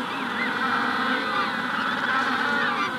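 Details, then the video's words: Magellanic penguins calling in a colony at the hatching stage: a dense, continuous chorus of overlapping wavering, nasal tones with no breaks, with a rufous-collared sparrow in the background. "Magellanic Penguin / Calls MD In Colony At Hatching Stage"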